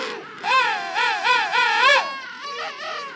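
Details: A King penguin colony call, loud and trumpet-like, made of rhythmic rising-falling warbled syllables in a long phrase, followed by a softer second call.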